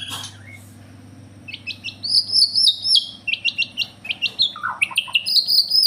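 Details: Bornean white-rumped shama: after a quiet start, bright high whistled phrases, sharp upslurred notes and short trills follow one another quickly, with some lower chuckling notes near the end and a steady faint hum.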